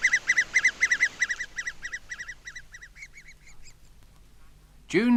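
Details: Adult great spotted woodpecker calling in English broad-leaved deciduous woodland in June while trying to feed its young: ringing chattering notes about four a second, fading over four seconds, then a sudden harsh, lower call at the end.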